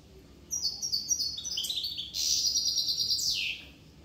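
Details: A Corsican goldfinch sings a fast, high twittering song of tinkling stepped notes. It ends in a buzzy, trilled phrase that slides downward.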